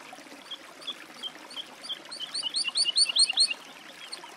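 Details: Woodlark singing a jumbled run of high, slurred notes that rises in volume midway before fading, with soft background hiss.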